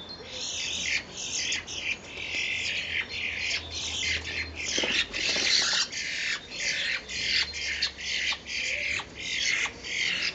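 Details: Pair of common starlings, fighting or mating, recorded 10 April 2011, give harsh, raspy squawks in rapid bursts, broken by brief gaps, with a faint low hum behind.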